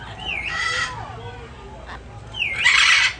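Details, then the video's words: A talking blue-and-yellow or red-and-green macaw gives two loud, harsh, raspy squawks about two seconds apart, each starting with a brief rising whistle-like note, in a quiet room. "Blue & Yellow and Red & Green Macaw Birds Speak!"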